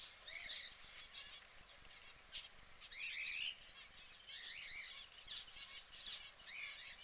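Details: A yellow canary, while preening, gives bright, high twittering chirps in short bursts every second or so, with quick rising and falling notes over faint background hiss.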